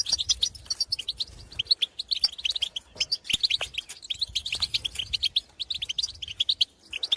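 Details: Wild European goldfinches in open country calling to their own kind: dense, lively twittering with liquid tinkling notes and buzzy chirps, delivered almost without pause in rapid, overlapping runs throughout.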